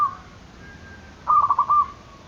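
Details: Zebra dove calling to draw rivals into calling: a single brief phrase of four or five soft, quick cooing notes merging into a faint held tone over a hissy background.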